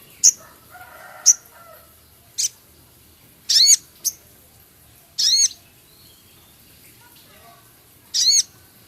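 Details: Male Javan cochoa in full song with Sepah raja imitations and rough chattering ticks: sharp, high, scattered chirps and brief buzzy bursts with downward-sweeping notes, spaced one to two seconds apart against a quiet background.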